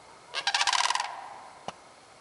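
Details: Sandhill crane recorded on 30 March 2015, giving a single rolling, rattling call of rapid pulses lasting under a second, followed by a brief click; otherwise quiet background.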